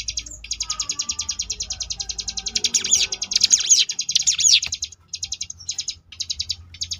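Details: Rapid buzzy trill of a Sunda bush warbler (ciblek gunung), ngebrem variation, holding a fast even pulse of high notes, with a louder cluster of sharp sweeping whistles midway.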